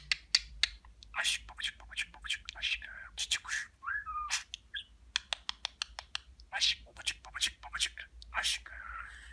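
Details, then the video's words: Talking pet budgerigar rattling off a fast stream of hissy, scratchy mimicked Turkish syllables (words like babacık, aşkım, cici kuş) with a few short whistled inflections, indoors in a quiet room. "Konuşan Muhabbet Kuşu"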